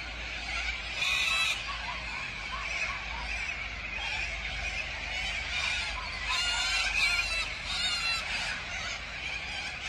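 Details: Huge wild flock of corellas gathered at Tocumwal on the Murray River, Australia. A constant wall of harsh, grating screeches from many birds at once, with louder bursts of screeching rising out of the din.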